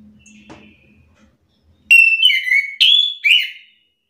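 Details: Orange-headed thrush stirred up and singing back at a rival's song: faint background whistling and hum first, then four loud, slurred whistled phrases in quick succession.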